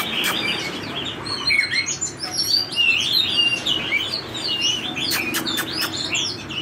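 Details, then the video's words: Forest-voice song from an Oriental magpie-robin of drop-shaped build: dense, rapid whistled and chattering phrases with upslurred notes, interrupted by several sharp clicks or taps, over faint low background noise. "chích chòe than dáng giọt nước hót xòe giọng rừng"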